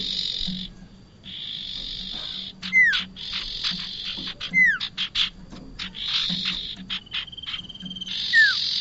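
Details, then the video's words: Bar-winged prinia calling as a bait recording for trapping birds: long rasping buzzes broken by quick clicking ticks and three bright, falling whistled notes spaced a couple of seconds apart. "SUARA UNTUK PIKAT BURUNG PRENJAK"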